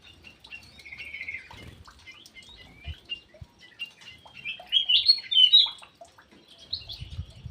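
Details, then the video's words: Ground thrush kept in an aviary, singing actively: scattered short whistled and warbled notes near the top of the range, with a brighter run of rapid, slurred phrases toward the end and a few faint low thumps. "PUNGLOR JALI GACOR"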